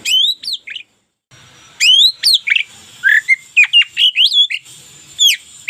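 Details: Energetic local Oriental magpie-robin song meant for daily tutoring: loud rising whistles and sharp slurred notes in quick succession after an opening pause, some phrases sweeping upward steeply.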